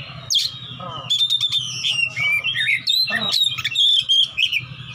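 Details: Fighting Oriental magpie-robin seeking an opponent, singing in open ngeplong style: loud, varied whistled phrases with sweeping and sliding notes and sharp clicks, over a steady low hum.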